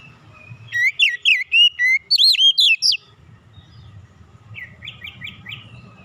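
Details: Relaxed Oriental magpie-robin song serving as a lure for other birds. A loud two-second run of varied, swooping whistled notes, followed by a quieter series of short repeated notes.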